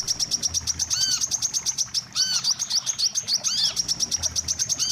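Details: Wiceh lure call, played to trap birds: a fast, even run of sharp high chirps repeating without pause, crossed by a few arched, lower whistled notes from another bird.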